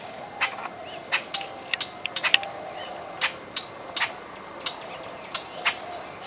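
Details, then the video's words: A rubythroat, a migrant from Siberia wintering in bushes at Gouripur, Murshidabad, West Bengal, India, gives about a dozen sharp, dry clicking chips at irregular intervals over a steady background hiss. "Rubythroat call or song"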